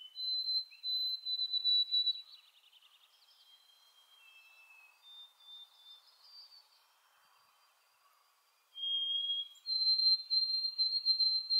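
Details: White-throated sparrow (Zonotrichia albicollis) song: clear, pure whistles held on steady high notes, a brief quiet spell of faint notes, then a loud whistled phrase returns at the end.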